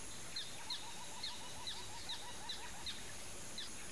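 High, thin, slurred whistles from a pair of white-faced whistling ducks repeat about every half second over soft lower notes and steady background hiss.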